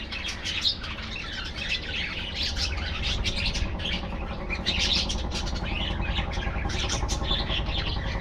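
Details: Budgerigars in a colony aviary produce constant rapid chirping and scratchy warbling, many birds at once, with a heavy low-frequency hum running throughout.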